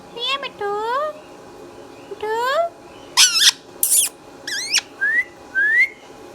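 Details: Pet Indian ringneck parakeet, a green talking parrot, indoors in a small room, uttering a string of speech-like syllables and squeaky, rising whistled notes with short gaps, some calls sliding upward, ending in clipped squeaks.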